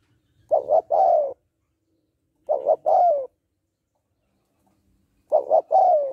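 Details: Hen spotted dove cooing to stir a male: three phrases, each two short clipped coos followed by a drawn-out falling coo, separated by clean silences.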